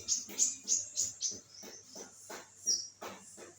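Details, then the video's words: Olive-backed sunbird singing vigorously: a quick series of high, piercing chips about three per second, followed by softer twittering and dry tapping clicks. "konin gacor"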